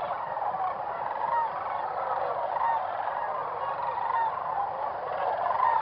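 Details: Whooping cranes at their roosting site in early morning around sunrise call together in a dense, steady chorus of overlapping honking and trumpeting notes, with a few clearer short calls rising above the din.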